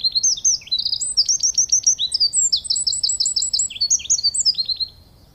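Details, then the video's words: Eurasian wren (Troglodytes troglodytes) in spring in Belarus pours out a loud, high, rapid song of trills and sharp notes, running about five seconds without a break. "Eurasian Wren’s Spring Serenade"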